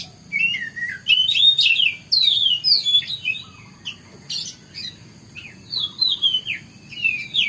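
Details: White-rumped shama singing in the morning: rich whistled phrases with sweeping, slurred notes between two and five kilohertz, delivered in quick bursts separated by short pauses, over a faint low background hum.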